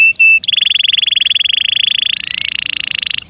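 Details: Canary in captivity delivering a long, even, rapid buzzy trill, pulses steady for nearly three seconds and stepping slightly higher near the end, after two brief high whistles.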